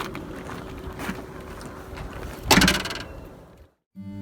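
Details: Steady mechanical rumble and handling noise with a loud clattering burst, a brief gap, then a low humming tone at the end; no animal calls.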